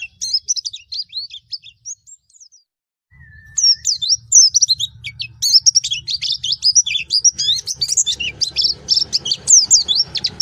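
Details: Pleci Baduy white-eye delivering bursts of high, scratchy twittering notes, a brief near-silent pause, then a longer, denser stream of rapid chirps and whistles with faint low noise.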